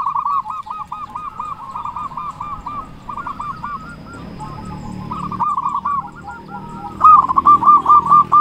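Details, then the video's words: Local zebra dove song used as a lure to get doves singing quickly: a long run of fast, bubbling coo notes over a low rumbling background, ending in a louder burst of rapid notes. "Perkutut lokal gacor suara besar Pancingan burung perkutut agar cepat bunyi"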